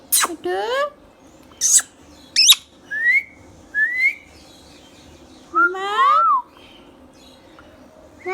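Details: Green Indian ringneck parakeet kept as a pet talking bird produces scattered rising whistles, a few sharp high chirps and one longer nasal harmonic call, separated by pauses of about a second, against faint indoor background hum.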